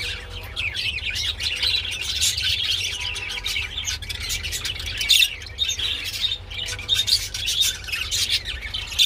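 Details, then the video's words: Budgerigar mating chatter runs almost without break: fast clicks, squeaky chirps and buzzy notes, with a few louder sharp accents, over faint low hum. "Parakeets Mating II Budgie Mating and Sounds II Birds Mating Call II বাজরিগার পাখি"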